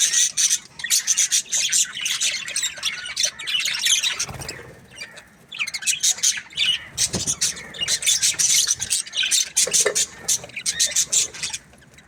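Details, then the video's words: Aviary of budgerigars producing a busy, continuous chorus of scratchy chirps, squawks and warbles, several birds overlapping, with short quieter lulls around the middle. "Amazing Budgies Aviary | budgies chirping sounds"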